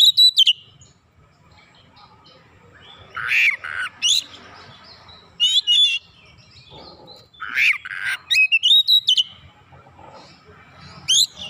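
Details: Oriental magpie-robin in energetic song meant to provoke other birds, with mimicked fill: quick whistled chips, harsh buzzy rasps, rising slurred whistles, in bursts with short pauses.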